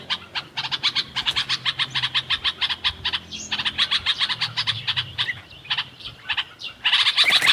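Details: Bulbul chattering in a natural setting, with quick harsh chip notes repeated roughly three or four per second, one short break, then a louder, denser burst of chirping at the end.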